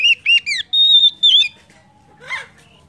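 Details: Oriental magpie-robin song played to stimulate other birds into singing: three quick downslurred whistles, a long level whistle and a bending note, then a soft harsher rasp after a pause.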